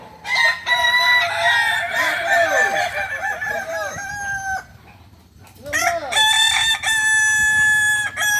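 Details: Kukuak balenggek roosters competing in a singing contest final at Ampang Kualo, Solok city, Sunday 8 September 2024; a long crow with many rolling, stepped syllables fading out, a pause, then another bright, sustained crow with clear harmonics.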